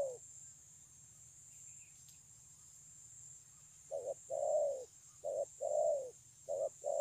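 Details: Spotted dove, a wild-caught bird praised for its fine voice, recorded 9/6/2020. Four quiet seconds give way to a run of soft coos alternating short and drawn-out falling notes, over a faint low hum and constant hiss.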